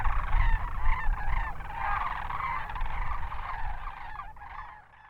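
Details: Sandhill Cranes wintering in southern New Mexico's Hatch Valley, a flock calling together: loud, guttural rolling rattles overlap in a dense chorus that fades toward the end, with low wind-like rumble.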